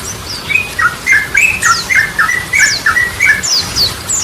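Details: Yellow-vented bulbul (trucukan) singing energetically, featuring Ropelan and Goklikan styles used as a lure for birds that have stopped singing; a steady run of warbled, slurred notes about four per second, with high squeaky notes overlaid.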